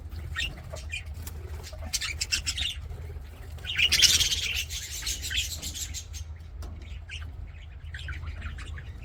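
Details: Singing, playing budgerigars in an aviary: continuous soft twittering and scratchy chirps, swelling into a louder, dense chattering burst midway, then fading back to sparse notes above a low hum.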